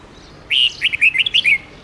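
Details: Long forest-style song of a red-whiskered bulbul, played to teach young bulbuls the voice. One quick run of eight or nine clear, chirpy whistled notes, with a slightly drawn-out opening note.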